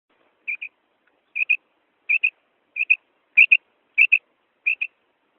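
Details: Female quail call, locally called madi batair ki kirk, shared in a hunting context: clear whistled double notes, each pair quick and sharp, repeated about every 0.6 to 0.8 seconds over a silent background.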